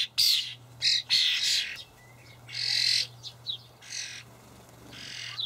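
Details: Fledgling common starlings in a Hamburg allotment garden, late May, begging while adults bring dried buffalo worms from a feeder; loud hoarse screeching bursts, some long and drawn out, crowding together at the start, over a faint low hum.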